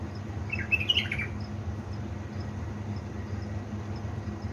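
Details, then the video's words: At 3 am a household bulbul from Balad Ruz, Diyala, Iraq, delivers one brisk phrase of bright, slurred whistles early on, then falls quiet over a persistent low hum. "أجمل واحلى تغريد من طيوري علاوي نهروان من بلابل ديالى بلدروز"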